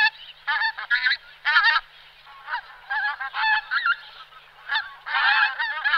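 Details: Pink-footed goose giving clear, loud, harmonic honks in short bursts of two or three notes, with brief pauses between. A rougher cluster of overlapping calls comes at the close.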